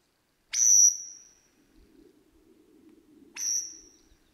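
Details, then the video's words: Australian lyrebird singing in the bush, heard during a deer hunt and mimicking birds such as crow, kookaburra and magpies: two loud, ringing whistled notes about three seconds apart, each sharp then slowly fading, faint low hum between. "The Australian Lyrebird singing in the bush"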